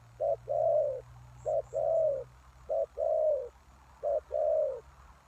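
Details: Decoy spotted dove luring wild doves: four regular low phrases, each a clipped note then a longer mellow coo, over a faint steady low hum.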